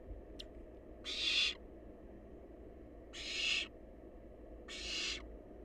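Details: Wild barn owl chick at its nest while feasting on leftovers: drawn-out hoarse screeching hisses, three bursts about two seconds apart, preceded by a brief faint click.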